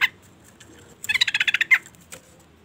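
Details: Female sooty-headed bulbul call meant to provoke a male: an opening sharp note, then a rapid rattle of about ten harsh pulses ending in a louder accented note, and one faint trailing click.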